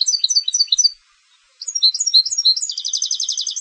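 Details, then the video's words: Competition-bred European goldfinch singing: lively, high-pitched twittering phrases, a brief pause, then more chirps that run into a fast, even, trilled series of repeated notes. "Canto del Jilguero de Concurso"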